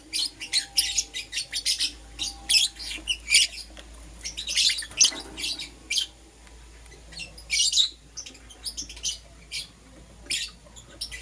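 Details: Green opaline and lutino lovebirds kept as pets, chirping in the morning: scattered shrill, scratchy chirps and squawks in irregular bursts, some in quick runs, over a faint steady hum.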